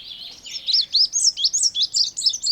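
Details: Part of an Indigo bunting song: a fast series of high, sweet, slurred notes repeated about four times a second, each swooping up and down, steady in loudness.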